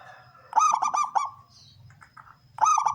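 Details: Male local zebra dove with a big 'kung' voice, used to attract wild doves, delivers one fast phrase of four or five clipped cooing notes, then starts another; faint soft chatter in between.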